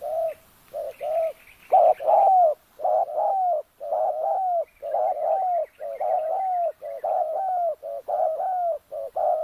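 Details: Spotted dove used as a decoy to lure wild doves, in an oil palm plantation at Kampung Luagan, Sabah: steady mellow coos, paired and tripled notes repeated about once a second, with faint higher chirps.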